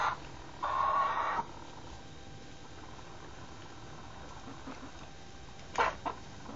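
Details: A chicken gives an odd sound: one loud, steady, nasal mid-pitched call lasting under a second, then quiet hiss, and near the end a short double burst of the same harsh tone.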